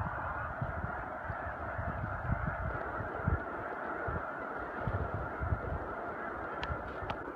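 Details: Snow geese on spring migration at Choteau, Montana, March 18-19, 2015: a dense, continuous chorus of overlapping honks from a large flock, with low rumbling wind noise underneath and a couple of sharp clicks near the end.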